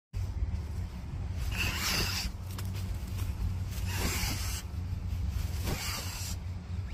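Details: An angry black swan in Australia, guarding its family of babies, hisses at a person filming: three breathy, rasping hisses about two seconds apart, each lasting under a second, over a steady low rumble.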